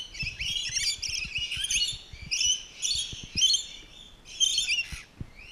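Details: Rainbow lorikeets at a zoo, during enrichment, give shrill, rasping screeches in overlapping bursts about once a second, with soft knocks and thumps underneath.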